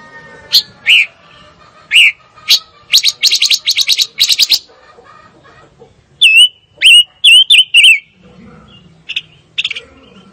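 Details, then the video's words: Fire-tailed myzornis singing sharp, stuttering chirps in a rapid burst, then a phrase of four wavering, slurred whistles, ending with two brief high chirps over a quiet background. "Kicau Burung Pancawarna Paling Dicari - Tiếng chim ngũ sắc"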